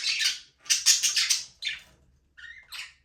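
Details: Budgerigars, Australian parakeets, in a small aviary, flying free and playing: bursts of harsh, buzzy chattering and squawky chirps, then a brief whistled note and a final raspy chirp, no music.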